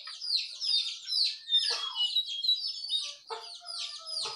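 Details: Several small songbirds in the morning chattering together, a dense run of quick high chirps and downslurred notes, some longer thin whistles threaded through, no pause across the stretch.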